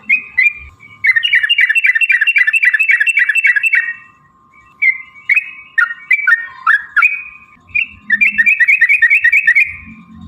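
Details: Yellow-vented bulbul in energetic 'ropel panjang' long rapid song, used as a lure to provoke other bulbuls to sing and fight: bursts of bubbly, gurgling two-note phrases rolling quickly, a pause mid-way, then renewed fast chatter over a steady low hum.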